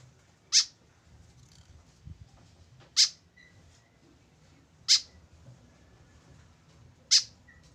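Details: Tame white-breasted woodswallow kept alone without a companion, giving short harsh rasping notes about every two seconds, four in all, over a faint low hum.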